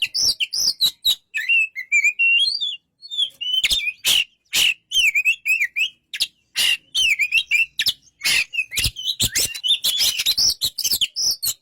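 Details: Song of an Oriental magpie-robin, a long varied stream of wavering whistles and trills mixed with loud, dry broadband clicks, with brief gaps between bursts.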